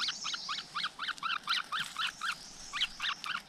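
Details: Flowerpecker chicks in their nest in the wild give a rapid series of short, high, bent chirps, about four a second. The series pauses briefly and then resumes, heard against steady background hiss.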